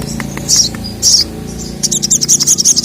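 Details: Sogon (sogok ontong) calling, a female to a male, the male answering angrily: short high chirp bursts, then a fast rattling string of thin notes, over a low droning background.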